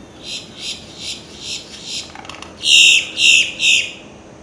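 A male Boat-tailed Grackle gives a run of five soft, harsh rasps, then three louder, grating bursts about every third of a second. No other sounds stand out.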